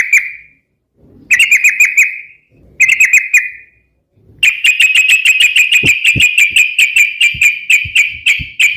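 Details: Sooty-headed bulbul in energetic song for luring and training other birds: short bursts of ringing chirps separated by pauses, then a long rapid stream of bright, evenly pitched notes with faint low knocks beneath.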